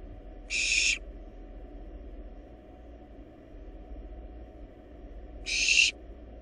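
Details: Two short, harsh hissing screeches roughly five seconds apart, given by wild barn owl nestlings swallowing a large rabbit in a research nest box; quiet hum fills the gap.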